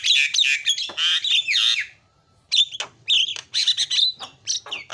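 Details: Asian pied starling giving a noisy 'isian' fill-in song: dense bursts of scratchy chatter and clear whistles, a short silence, then more choppy squawks and whistled notes.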